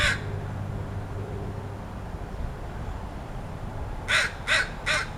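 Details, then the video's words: One rough caw opens, then a long pause with low hum, and finally three loud grating caws from a crow making strange sounds, spaced roughly every 0.4 seconds. "Crow making strange sounds"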